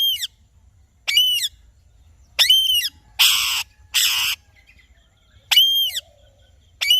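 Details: Arched, ringing squawks from an Alexandrine parakeet, broken by two harsh, noisy screeches in the middle, with a faint softer call in the background.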